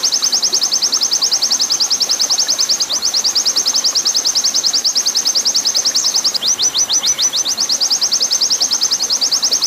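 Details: Long 'nembak panjang' training song of an oriental white-eye, blended with water sound: a sustained rapid trill of high, sharp, slanted chips that briefly breaks into a few spaced notes before racing on, over constant soft hiss.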